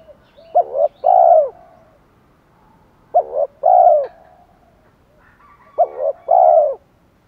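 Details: Spotted dove in Thổ style, phrased to provoke fighting and lure wild birds: three deliberate phrases of two short hoots and a long mellow coo, spaced under three seconds apart.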